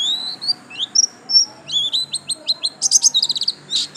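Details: Yellow-stripe buxtomi white-eye: high twittering song of short upslurred notes that speeds into a dense, fast trill of bright chirps near the end, with faint background hum.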